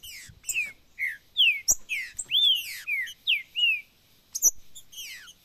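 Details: Green-winged saltator singing macheado: rich whistled phrases of downslurred and arched notes, roughly two per second, separated by brief silences, with a few sharp clicks and high chip notes.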